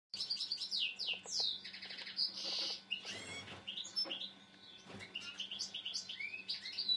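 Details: A captive Common Linnet kept in an aviary sings a fast, varied twittering of high chirps, trills and short slurred notes, with a faint steady hum and a few rustles behind.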